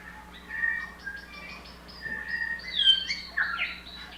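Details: New Zealand bellbirds in a song battle in New Zealand, fluffing up their front feathers; a New Zealand robin also calls. Fluid, bell-like whistled phrases and quick chirps overlap, rising and falling through the clip.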